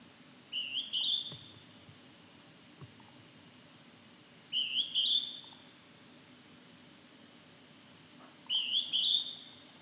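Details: Hodgson's hawk-cuckoo calling in fog: three shrill, high, two-part whistles, each rising sharply and then running on as a level note. They come about every four seconds over a quiet background.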